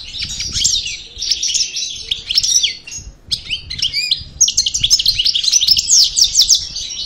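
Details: Post-moult parva goldfinch of the El Bordj line delivering a lively twittering song: rapid chirped phrases, a brief pause, then clear descending whistles and an energetic run of crisp repeated notes.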